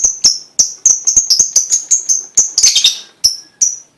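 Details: Lovebird pancingan lure song to set other lovebirds singing, here as a string of sharp, piercing single chirps repeated at uneven intervals, with one brief rapid chattering run near the end.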